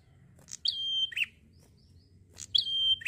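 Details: Lively, relaxed prinia song. A quick sharp note leads into a long, clear, steady whistle that ends in a lower buzzy burst. Two phrases are heard against a soft low background rumble.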